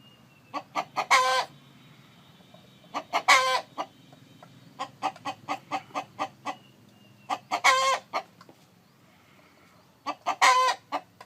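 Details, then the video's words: Chicken, a rooster calling while a hen sits on eggs: four harsh, drawn-out squawks, each preceded by quick clucks, with long runs of evenly spaced soft clucks between them. "Gà trống kêu mái ấp trứng, âm thanh gà gáy"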